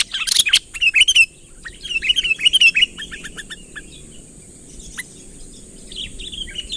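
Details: Sooty-headed bulbul in a chatty calling bout meant to draw a rival closer. Loud rapid chirps are followed by a series of short, descending, whistled notes that fade into near silence, with a constant thin high tone behind.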